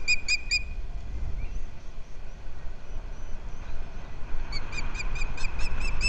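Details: Wild osprey pair at a rebuilt nest on Captiva, filmed by a nest cam on February 11, 2023, as the male brings fish to the female: three sharp whistled chirps, a pause, then a rapid run of about eight chirps, with low wind rumble.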